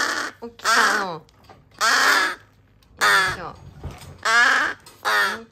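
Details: Noisy calling from three rescued crow chick siblings found abandoned in a garbage bag, recorded on rescue days 26-27: repeated coarse, grating caws, roughly one a second, with a faint human voice between them.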